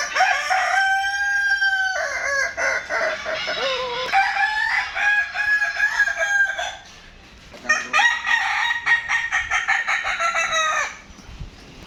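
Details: Kukuak Balenggek rooster at a crowing contest in Padang, 8 October 2023: long crows with stacked harmonics, opening on a steady tone then breaking into rapid stepped, warbling syllables, several crowing bouts overlapping.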